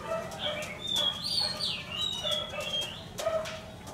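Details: Red-whiskered bulbul, a week-old wild-caught decoy bird from Lương Sơn kept in a cage, singing clear whistled phrases that slide up and down, with a low droning hum beneath.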